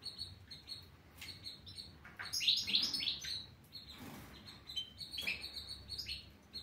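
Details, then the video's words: European goldfinch singing: rapid twittering and bright chirps with buzzy, tinkling notes, phrases irregular and fairly quiet, strongest in the middle, over faint background hiss. "تغريد الحسون"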